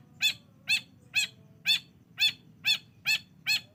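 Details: Long-tailed shrike call used as a lure to make a quiet bird sing: a single nasal, arched note with stacked overtones, repeated steadily about twice per second.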